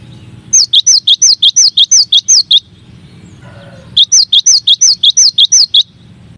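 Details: Cinereous tit (gelatik batu) masteran song in one of nine variations: two bursts of rapid, high, down-slurred whistles, roughly eight notes each, split by a short quiet gap with soft background hum.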